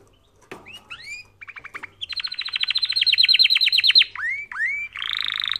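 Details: Canary song for training canaries: upward-swept whistles, a rapid series of repeated notes swelling into a long loud rolling trill, two falling slurred whistles, then a dense buzzy roll.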